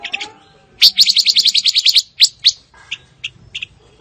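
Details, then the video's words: Fire-tailed myzornis song: a rapid run of about ten high, buzzy trilled notes delivered in under a second and a half, followed by scattered sharp, high chirps spaced irregularly, with a faint lower whistled note at the start. "Tiếng chim ngũ sắc"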